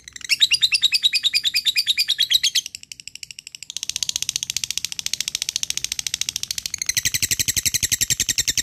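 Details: Caged fighter lovebird calling out a rival in extended ngekek chatter; loud fast raspy pulses, a brief dip, then a long dense buzzing chatter growing stronger toward the end.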